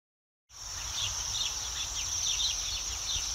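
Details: Waxwings in a flock perched high in a tree in Yekaterinburg in spring, resting after feeding on rowan and hawthorn berries in city yards; a steady, thin, high trilling chorus with scattered short chirps over low urban rumble.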